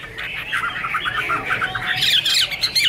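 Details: Chinese hwamei in the Iron Ax Blade Cut Wood song, said to be angry and dancing: hoarse, scratchy chattering notes at first, then rising into higher, brighter whistles.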